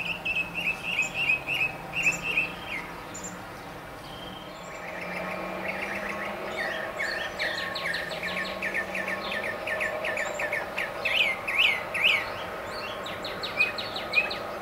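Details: Male northern mockingbird singing from the top of a tall mesquite in central Arizona despite jets, tractors, insects and a cardinal below. Varied phrases: a run of repeated chirps, a pause, then long rapid series of different sharp notes.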